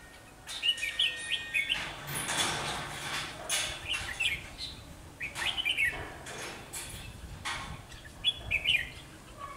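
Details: Red-whiskered bulbul used as a Kim Bôi decoy bird to lure wild birds into a trap, on a sunny, windy day, 12 October 2020; short bright warbled phrases in bursts, separated by gusts of wind noise.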